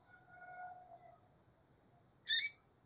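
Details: A female double-collared seedeater utters a single short, grating high chirp. It follows a soft, sustained low whistled tone with a fainter higher tone above it.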